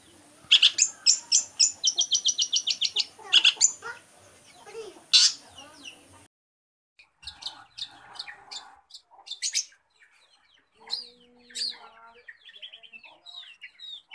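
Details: Long-tailed shrike mimicking other birds, opening with a quick series of repeated high chirps, then a pause, followed by scattered sharp notes and a low steady whistled tone.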